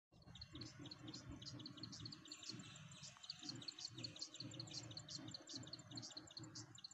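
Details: Plain Prinia (Plain Wren Warbler) calls recorded 23 September in Magadi, India: a steady stream of short, high chirps in quick succession over a constant low rumble.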